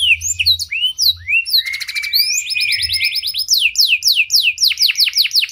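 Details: A young canary's lure song for prompting young canaries to sing: a fast, varied song of high whistled sweeps, buzzy trills and rapid repeated downslurred notes, with a faint low hum underneath.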